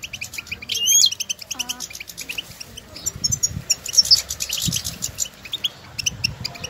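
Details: Wild European goldfinches calling to one another outdoors; a liquid sweeping note opens into continuous high twittering chirps, with a brief lower nasal call and low background rumble.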